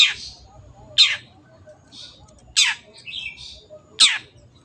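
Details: Long-tailed shrike (cendet) singing actively for kept-bird training: loud rasping downward shrieks at uneven intervals, interspersed with softer scratchy notes and a short warble.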